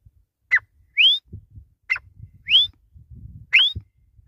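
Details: Grey francolin (desi or gora teetar) calling: a short, sharp note falls from high to mid pitch, then a clear whistled upslur rises quickly, with the pair repeated about every 1.5 seconds over faint low background rumble.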